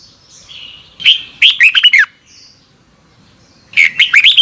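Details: Red-whiskered bulbul morning training song in the 'double twisted voice' style, used as a lure to train wild-caught birds: two bright bursts of warbled, looping whistles around a second apart, with quiet pauses between them.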